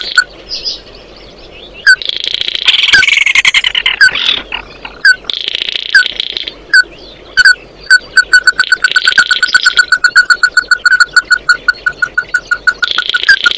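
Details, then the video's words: Oriental white-eye song used to call the flock: isolated sharp notes between buzzy chattering phrases, ending in a long accelerating train of rapid chips. "Tiếng kêu của chim Tí Hỉ, Chim Mắt Đỏ hót gọi bầy"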